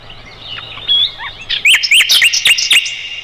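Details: Mugimaki flycatcher song for tutoring roll-tembak birds like the white-rumped shama. Soft scattered whistles build into loud, rapid upslurred chirps over a sustained high whistled tone.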